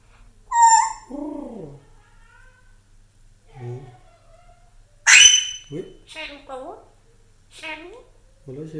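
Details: Pet African grey parrot that talks in Urdu mimics speech in short bursts: nasal, voice-like syllables and a sharp, loud squawk-whistle midway, with brief gaps between phrases.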